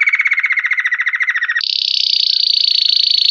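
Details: Pure campainha song of a Belgian canary, stretched and building gradually: a lower rolling trill of distinct beats that jumps abruptly to a much higher, faster, denser trill held to the end.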